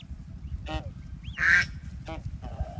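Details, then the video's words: Ducks with ducklings at the water on a peaceful farm: a few clipped quacks, one louder harsh quack in the middle, and a single rising peep, over a quiet low rumble. "Cute Baby Ducks Playing in Water 🐥 | Relaxing Duck Sounds"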